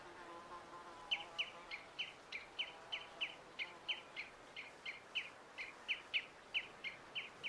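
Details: Pied avocet, Titchwell Nature Reserve, September 2016: brief soft murmur, then a run of clipped, sharp piping notes repeated about three times a second, fairly even in pitch.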